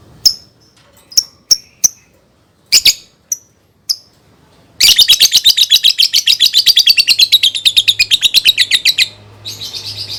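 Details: Lovebird song used as a tutor for young birds: scattered sharp high clicks and chirps, then a loud, sustained rapid chatter of harsh notes, many per second, lasting about four seconds before fading.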